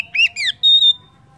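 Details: Oriental magpie-robin (kacer) lure song meant to set other birds singing: two quick downslurred whistles followed by a clear, steady high whistle that fades out.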